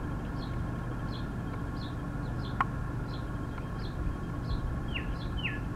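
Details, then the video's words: Male Northern cardinal with bright red feathers singing loudly in spring: a run of faint, quick downslurred whistles repeated about twice a second, ending with two clearer, stronger slurred notes over steady low rumbling background noise. "The singing Cardinal"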